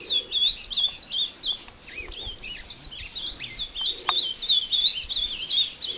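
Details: Ultramarine grosbeak, a bred captive bird, duels in song with a wild one in woodland at Passos, Minas Gerais. Fast rising and falling whistled notes run almost continuously, with faint low murmurs in the background.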